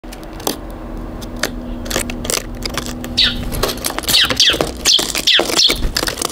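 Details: Eurasian tree sparrows on a balcony at New Year, 2 January 2023: after several seconds of loud clicks and tapping, a burst of high, short chirps repeats rapidly from the birds, mixed with knocking sounds.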